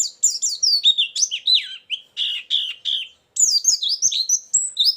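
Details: White-eye song for trapping birds, with filler material: sweet falling warbles, a short pause, then lively high rising and falling twitters.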